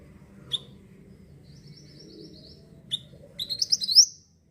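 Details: Actively singing olive-backed sunbird (mantenan) used for luring birds: single sharp high chirps with a faint thin twitter between, then an accelerating burst of loud high buzzy rising notes; low hum underneath.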